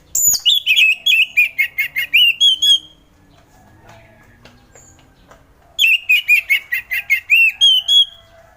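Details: Orange-headed thrush singing a relaxed ngeplong song meant to stir lazy thrushes into singing each morning: two bursts of rapid, rhythmic whistled and chattering notes, each about three seconds long, separated by a quiet pause.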